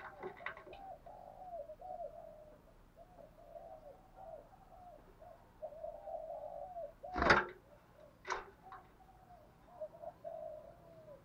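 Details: Decoy spotted dove giving fight-provoking calls to draw wild doves; repeated low hollow coos in steady phrases, broken by two sharp loud knocks partway through.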